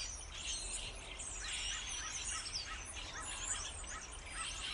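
A dense starling chatter of high clicks, squeaks and whistles, with a run of short rising notes repeated about three times a second near the end.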